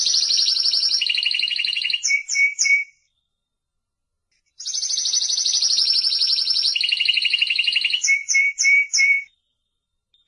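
Timbrado canary singing bright, metallic rolled trills that step down in pitch, ending in a few short clipped notes; two phrases about three seconds long, separated by silence.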